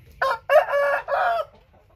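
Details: Close, loud crow from a Thai white-tailed rooster. A brief first burst is followed by a sustained hoarse phrase and a final drawn-out syllable, over a quiet background.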